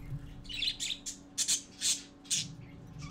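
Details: Parakeet chicks gathering to see their father, recorded indoors on 4 December 2014 at 11:45 AM: a run of high, bright chirps and short squawks in uneven bursts, about one a second, over a low steady hum.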